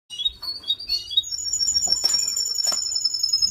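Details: Male canary giving its mating call: warbled, rapidly changing chirps that give way to a long, steady, high whistled note with a few sharp clicks over it.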